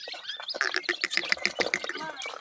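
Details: Grey francolin chicks feeding: a quick run of about eight short, high, clear peeps, evenly spaced within roughly a second, over soft clicking and rustling.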